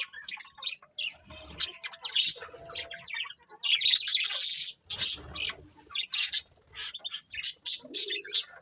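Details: Budgerigars chirping in a busy chorus of bright, high twittering notes and short squawks, with dense overlapping bursts and a brief lower warble near the end.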